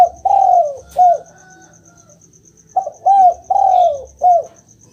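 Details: Spotted dove cooing played to make a quiet dove answer: two phrases about two seconds apart. Each starts with a short note, then a long, falling, drawn-out coo, then a brief closing coo. Faint even ticking runs throughout.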